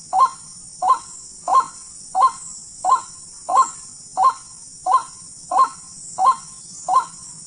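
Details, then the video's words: Wild white-breasted waterhen, the local ruak-ruak, recorded during a hunt: a hoarse, croaking note repeated steadily about every 0.7 seconds, eleven calls in a row, over a constant high insect-like hiss and a low hum. "burung ruak-ruak liar"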